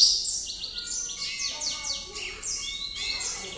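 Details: Yellow canary singing at night, a continuous run of rapid high trills and quick downward-sliding chirps, with steady thin tones underneath and faint room noise throughout.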